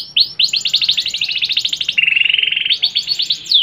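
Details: Canary delivering a bright, fast song: a sharp upslur, then a long run of rapid pulsed notes, a lower steady rattling trill, and closing high sweeps.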